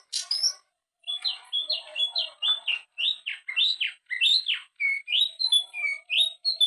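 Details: Greater green leafbird in energetic continuous song for training other birds: a sharp harsh opening note, then a rapid string of whistled, sliding and warbled phrases, almost without pause, mixing rising and falling notes.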